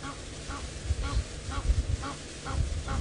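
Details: Egyptian geese on water in the Sabi Sand, on a hot October afternoon, give a steady run of hoarse, honking alarm notes about every half second, warning of a drinking male leopard while swimming toward him, over low wind or engine rumble.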